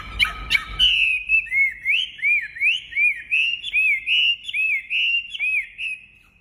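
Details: Wambi bird singing vigorously: after a few sharp clicks, clear looping whistled notes that rise and dip, repeated about twice a second in a steady, even rhythm, fading out at the end.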